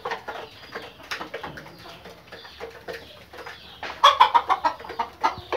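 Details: Pakistani Fayoumi chickens, kept for daily eggs, give soft scattered clucks, then a burst of rapid loud clucks near the end with several birds calling together.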